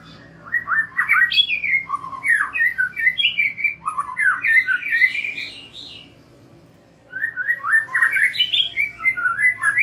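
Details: White-rumped shama song played to coax young and wild-caught birds into open singing: two bursts of rich, varied whistled and chattering phrases separated by a pause of about a second.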